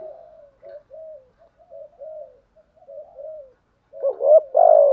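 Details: Lure spotted dove calling to challenge wild doves; soft, low rolling murmurs for several seconds, then a louder burst of hooked notes and a long falling coo.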